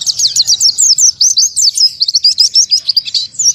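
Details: Oriental white-eye, called pleci, singing in the 'tembakan tanpa nafas' style: a quick chain of bright, slurred high notes, each rising and falling, tumbling into denser jumbled twitters toward the end.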